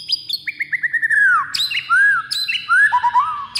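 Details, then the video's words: White-rumped shama fighting song meant to rile other birds: loud, clear whistled phrases, a run of short descending slurs leading into longer arched whistles, with sharp high notes interspersed. "MURAI FIGHTER PENDONGKRAK EMOSI DIJAMIN NGAMUK DALAM HITUNGAN DETIK"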